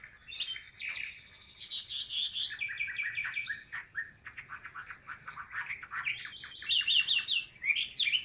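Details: Chinese hwamei kept in a cage, named 'ngũ trường cao cầu', singing rattling high buzzes and scratchy chatter mixed with whistled phrases, over steady background noise.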